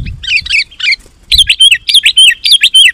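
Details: Excited sooty-headed bulbul song used as a lure for wild birds: a fast chattering run of bouncy, slurred notes, starting with a few scratchy chirps and then rolling into regular rhythmic phrases.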